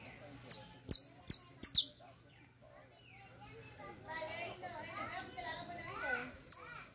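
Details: Saffron finch teaching song: four loud, sharp falling chips in quick succession, followed by a stretch of chattering voices and one more chip at the end.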